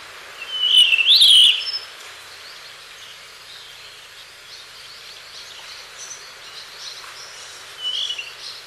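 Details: Blue rock thrush, sound taken from a reference call library: a loud warbled whistle phrase rising and falling near one second, then a softer whistled phrase near the end, with faint distant notes between over a steady hiss.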